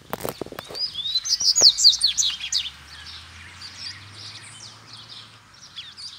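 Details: As two loose wild males arrive, a double-collared seedeater challenging them to fight pours out a rapid chattering song of sharp slurred notes for about two seconds, then quieter twitters, with clicks and a low hum behind.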